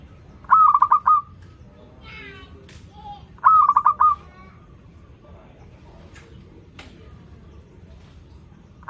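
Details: Zebra dove song for birds learning to sing: two stuttering pulsed coo phrases about three seconds apart, a brief buzzy note between, then several seconds of low background with faint clicks.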